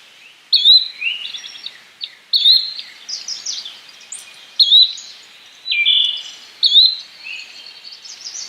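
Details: Repeated short, rising whistled calls of a yellow-bellied flycatcher, about one every second or two, mixed with softer chips and notes from other birds in the background.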